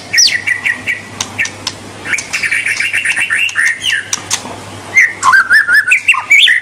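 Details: A white-rumped shama sings to stimulate young birds to sing. A run of quick chattering notes gives way to loud rich whistles that dip and rise, with clicks throughout and a low hum in the background.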